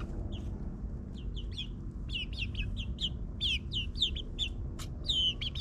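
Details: Backyard chicks in their ninth week, kept in a suburban run, give repeated high, downward-slurred peeps in quick bursts over a steady low hum of suburban background noise.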